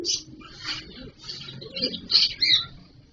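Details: Cockatiel on a live bird camera, 31 March 2023, giving short scratchy chirps in irregular bursts, some harsher and louder near the end, over a low background hum.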